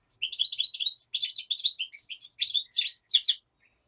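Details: Daytime singing of a black-headed goldfinch, with a common nightingale said to be in the background; a steady, fast flow of bright, tinkling, twittering notes and short buzzy trills for over three seconds, then silence.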